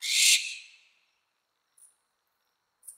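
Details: Mating call of a barn owl: a single loud, breathy, rasping screech at the start that trails off within a second. Silence follows, broken only by faint brief scratches.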